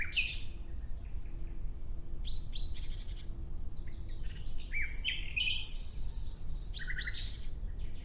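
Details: Nightingale delivering several separate song phrases: crisp chirps, short rattling bursts, and one sustained high buzzy trill, with soft low background noise throughout.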